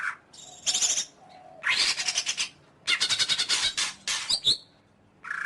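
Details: Greater green leafbird voice: dense raspy chattering bursts and rapid stuttered notes, ending with a high sliding whistle and a brief harsh call.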